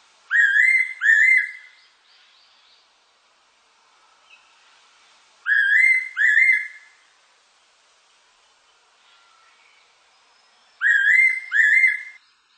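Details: Fairy pitta singing in 2020: a rising two-note whistle repeated three times, about every five seconds, each pair clean and ringing, with only faint background noise between phrases.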